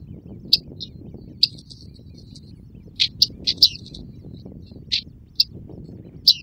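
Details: Great crested grebe with its chicks, Tovačov fishponds, Czech Republic, 2013–2014: thin, sharp high peeps, sometimes single, sometimes in quick clusters of three, against a constant low background hum.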